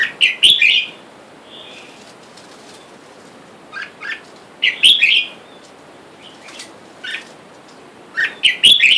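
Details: Red-whiskered bulbul calls: a wild-caught male and female kept caged, wild birds calling for a mate outside. Bright, warbled chirp phrases burst at the start, middle and end, with quieter two-note chirps between.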